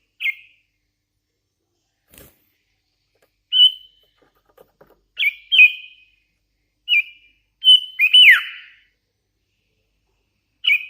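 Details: Sooty-headed bulbul, a hand-fed young bird, singing in short bursts: bright whistled notes, some rising or falling, spaced a second or more apart with silent gaps between, and a busier run of chirps near the end.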